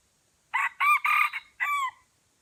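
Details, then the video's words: Crow of a red junglefowl from Aceh, Indonesia, recorded as two wild birds approached a lure bird: a clipped crow in four harsh, strongly harmonic syllables, the last sliding downward, over about one and a half seconds against a quiet background. "Ayam Hutan Aceh, Pikat didatangi dua ekor Ayam Hutan"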